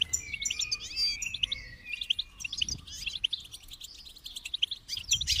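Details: Goldfinch singing a dense, fast twitter of high chirps mixed with longer drawn whistled notes and buzzy trills, continuous throughout, over a low rumbling background noise.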